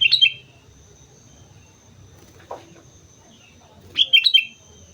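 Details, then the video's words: On Mount Slamet a Sooty-headed bulbul sings lively whistled warbles, one phrase at the start and a double phrase after a pause, with a faint lower squeak between them. "suara burung kutilang gacor gunung slamet"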